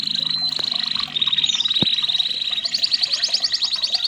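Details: Red canary, a red-factor canary, singing a training song: a long steady high whistle held near one pitch, breaking into a fast rhythmic trill of repeated notes in the second half, with a faint dull knock midway.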